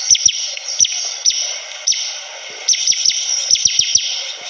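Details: Bar-winged prinia singing persistently: scattered high chirps and downward slurs, then a lively cluster of sharp clicks and twitters near the end, over a constant shrill hiss.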